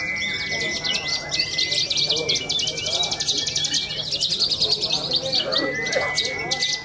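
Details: Contest branjangan from Cilacap, Indonesia, pouring out a rapid run of repeated buzzy notes and fast ticking trills, high-pitched and unbroken, while a long level whistle holds beneath and low crowd murmur continues.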